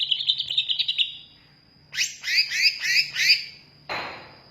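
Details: Greater green leafbird song: a quick high trill, then a pause, then a series of rich warbled double notes repeated about four times, ending with a sharp rasping burst.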